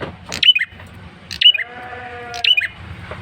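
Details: Male bar-winged prinia lure call, loud and insistent: three sharp, high bursts about a second apart, each slurring downward, with a bleat-like harmonic tone between the second and third.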